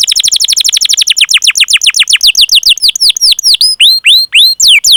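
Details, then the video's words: Canary in loud, continuous 'ngerol' song used to coax silent or young canaries into singing; a very rapid trill of sharp notes slows gradually into separate, curving whistled swoops toward the end. "Masteran Suara Burung Kenari Gacor Panjang cuit cuit Ngerol untuk Pancingan Kenari!"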